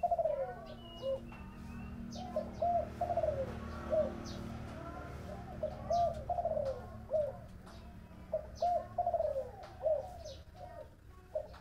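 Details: Series of spotted dove coos in the 'thổ bầu' voice style, low hollow notes grouped in falling phrases repeated across the recording, accompanied by scattered high chirps from other birds and a low rumble.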